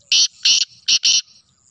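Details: Black francolin on 25 June 2024 calling four loud, rasping, broadband notes, paired as two quick couplets within about one second, over a faint high background hiss.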